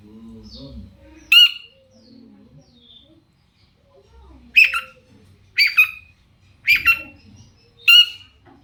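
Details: Long-tailed shrike calling to make other shrikes answer: faint low murmuring at first, then sharp, harsh squawks, one early and four more spaced about a second apart near the end.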